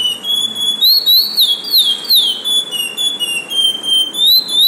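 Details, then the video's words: Lesser seed finch kept in an airing cage, singing clear whistled phrases that slide up and down in pitch, notes linked into a flowing, continuous song with short pauses and faint background hiss. "Curió no Arejador"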